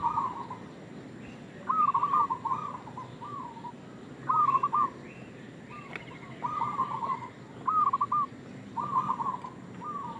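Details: Perkutut lokal, the zebra dove, in a lure-style calling bout: a series of bubbly, rolling coo phrases in bursts of two to three, pausing between groups, against a low droning background.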